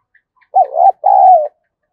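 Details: Spotted dove call for provoking a decoy bird: a short wavering coo then a long, even, gently falling coo, clean and close, with only a couple of tiny clicks before it.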